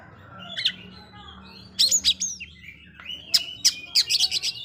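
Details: Provoking song of an Oriental magpie-robin aimed at making rivals aggressive: quiet start, then loud clipped chirps and a rapid run of sharp high notes toward the end, low hum in background.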